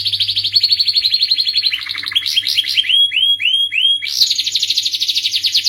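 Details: A canary sings a varied, sweet phrase: a fast trill slides downward, then a series of clear slurred whistles, each repeated several times, before a bright rapid trill returns.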